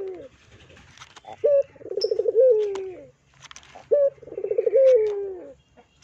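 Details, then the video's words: Barbary dove, used as a lure recording to prompt other doves to coo, cooing twice: a short clipped note, then a low, rolling, purring coo that slides downward, repeated about every two and a half seconds. "PANCINGAN PUTER GACOR"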